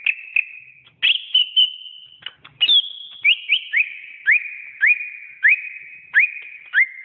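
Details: Greater green leafbird song used as a training recording: clear whistled notes near one pitch, many short upslurred whistles repeated about twice a second, with brief sharp clicks between phrases.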